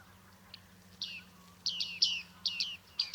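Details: Bearded reedling, Liepāja, Latvia, July 2023: after a quiet start, clusters of ringing, downward-sliding 'ping' notes in quick pairs and triplets, clear over a faint hum.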